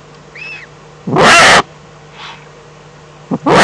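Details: Eagle-owl recorded in the Eifel on 11 April 2014, 3:47: a faint wavering note, then a loud rasping hiss-like burst, a softer breathy sound, and another harsh burst starting at the end, over a constant low hum.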